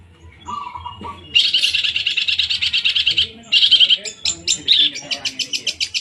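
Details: Long-tailed shrike song with a brief low warble, then a dense, harsh scratchy rattle lasting about two seconds, a short burst, and a run of sharp, clipped chattering notes.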